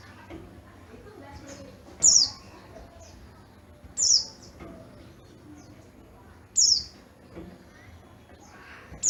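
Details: High, bright chirps from an Oriental white-eye of Garut's yellow-breasted kind, each a sharp downward slur, repeated about every two seconds over low murmuring.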